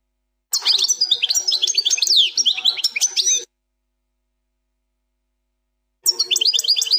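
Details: European goldfinch delivering the plak mine style of song, fourth section. Rapid, varied chirps, slurs and trills fill a three-second phrase, then after a silence the lively twittering resumes.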